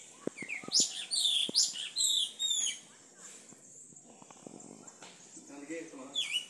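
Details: A Yellow-legged Thrush sings in a home backyard in Itaqui, Guaraqueçaba: quick, high, thin phrases of sliding whistles and twitters, loudest in the first few seconds, with faint voices in the background.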